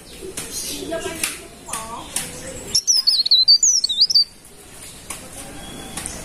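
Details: Golden-bellied gerygone, known locally as cikrak daun or pare-pare, singing vigorously: one high, sweet, wavering whistled phrase of quick rising and falling notes lasting about a second and a half, with faint low background noise before it.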